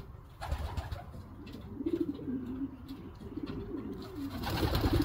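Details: Low rolling coos from young racing homers being trained, several bubbling phrases running together over a rumbling background, with a burst of broadband noise at the end.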